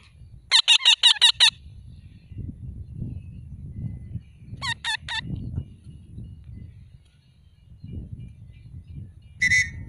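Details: Alexandrine parakeet letting out a rapid run of six raspy screeches, then a shorter burst of four and one final squawk, all over a constant low-pitched background rumble.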